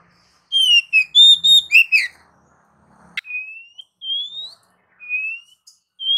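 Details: Oriental magpie-robin singing in the continuous ngacor style: a quick run of clear, varied whistled notes, some sliding down, then slower, separate drawn-out whistles that rise slightly, with short pauses between them.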